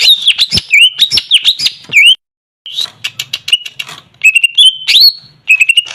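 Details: Greater green leafbird, a caged bird kept as a lure, singing a varied run of clear whistled notes, sharp rising and falling slurs and chattering trills, with a short pause midway.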